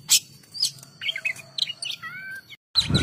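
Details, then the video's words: Oriental magpie-robin (kacer) singing: sharp high chips, then varied short whistled figures and a doubled flat whistle, followed by a brief silence and a burst of loud broadband noise at the end. "KACER GACOR"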